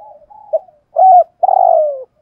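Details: Decoy spotted dove, 'giọng thổ' voice, cooing: soft murmur and a short note, then a firm low coo and a long smoothly falling drawn-out coo.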